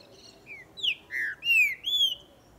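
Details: Green-winged saltator singing during breeding and tournament season: a quick phrase of five rich whistled notes, some sliding down and the last two long and level-to-rising. Low background hiss.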